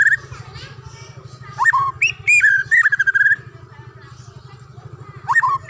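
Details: A wild murai batu, the white-rumped shama, sings whistled swoops and a rising note, then a quick burst of crisp repeated chirps, falls quiet, and starts another swoop, over a continuous low pulsing hum.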